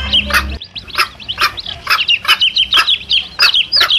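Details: Chicks calling near their mother hen, a lure sound for wild male junglefowl: a low thump at the start, then shrill, bent peeps and short broadband clucks repeated about twice a second, growing busier toward the end.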